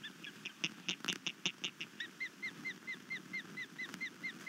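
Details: Osprey at a nest on Skidaway Island, Savannah, Georgia, upset by an intruder overnight around 01:50 on 22 March 2019; a quiet series of short, downslurred whistled chirps repeats about five times a second, with a few sharp clicks early on.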